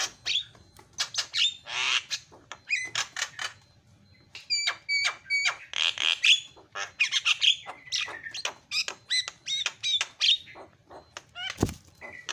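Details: Lure recording of Javan myna calling to set off other mynas: a dense run of harsh, rasping bursts mixed with short clear whistles, repeated rapidly and unevenly for the whole stretch.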